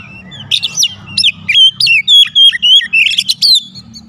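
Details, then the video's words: Oriental magpie-robin giving a lure song to trigger a full response from other magpie-robins: a steady string of loud, clear whistles, swoops and sharp accents, over a faint low rumble. "PANCINGAN KACER MANAPUN AUTO RESPON NGEPLONG"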